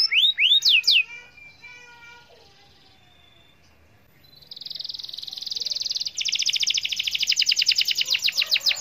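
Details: Canary song used to stimulate silent canaries to sing: a few loud swooping whistles, a short quiet gap, then a rising buzzy trill that breaks into rapid rhythmic repeated notes.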